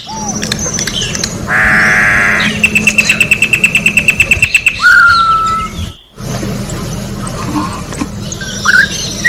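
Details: In nature, an orange-backed troupial sings a rough buzz, then a quick train of about fifteen high even notes, then a descending whistle, followed by quieter faint calls.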